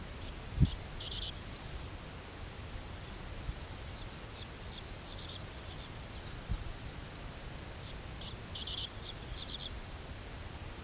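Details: Dickcissel singing twice at Columbia Bottom Conservation Area near St. Louis, Missouri, on July 2, 2011: a few sharp high chips running into a quick buzzy, stuttering flourish, with low wind rumble and rustling throughout.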